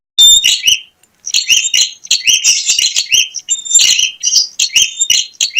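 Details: A bar-winged prinia sings as a lure for other prinias: a brief chattering burst, a pause, then a long run of scratchy, buzzy notes and sharp whistles.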